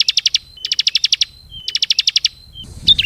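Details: Ciblek, the bar-winged prinia, calling as a bird lure: three quick bursts of five to eight clipped high chips, each burst ending in a thin whistle, with a short rustle at the end.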